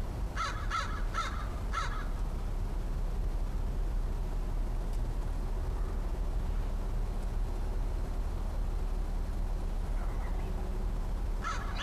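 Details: On October 13, 2013, a wary-sounding crow, final crow visitor of the year, opens with four rapid rough caws, falls quiet amid low rumble, then adds one more caw at the end.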